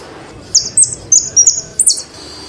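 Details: Short burst from a Saffron finch, locally jilguero argentino: five high, quick, twisting chirps with downward slides, closely spaced within about one and a half seconds.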